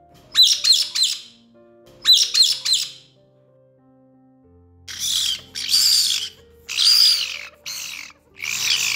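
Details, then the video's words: Pet caique parrot showing typical sounds: two bursts of three sharp, rising whistled notes, then loud, harsh, broadband screeches in short bursts over a faint low hum. Many caique sounds mimic things heard around them. "Here I will show you few typical sounds of the caique parrot."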